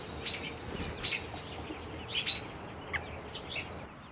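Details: Four young American robin nestlings, three 2-3 days old and one slightly older, begging as both parents feed them in tag-team turns; high thin squeaks and short chirps in irregular clusters, with soft steady background hiss.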